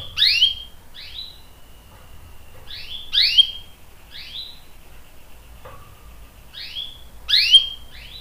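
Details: Canary song used to prompt and tutor young and adult canaries: short bright upslurred chirps in small clusters, separated by pauses of about two seconds, over a faint low hum.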